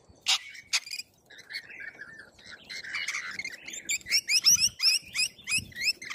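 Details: A flock of wild Corella cockatoos in Australia: two harsh screeches open, then overlapping high chirps and squawks about three per second, with faint background rustle.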